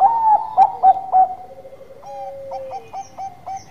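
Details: Bangkok-type perkutut (zebra dove) singing gacor manggung. Four strong, bell-like coos in quick succession, then a soft held tone and a series of short, evenly spaced pulses repeated about three times a second.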